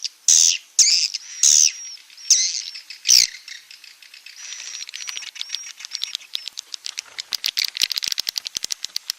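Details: Edible-nest swiftlet calls: a few loud harsh chirps with high whistled tones at the start, then a fast run of dry clicking notes that grows into a rapid rattling series.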